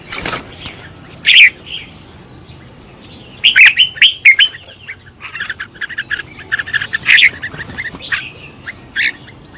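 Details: Caged red-whiskered bulbul being trained as a decoy singer: clusters of quick warbled, chirpy notes, a dense burst near four seconds, then scattered shorter phrases, over a thin constant high-pitched hum.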